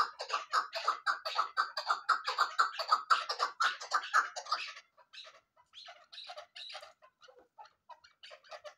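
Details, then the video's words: Female chukar partridge gives a rapid run of harsh, clucking chuck notes for about five seconds, then trails off into softer, scattered notes. "keklik sesi chakor birds vlvoice awaz sound"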